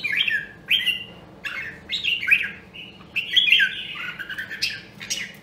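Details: Red-whiskered bulbul, Nam Đông, Huế voice, singing in training: a series of bright whistled, slurred phrases, some sliding downward, given in quick bursts with short gaps.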